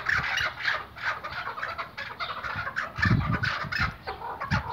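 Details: White-banded Iraqi hunting partridge, a chukar, calling in rough, scratchy clucks of varying length, mixed with heavy low thuds and bumps from nearby movement.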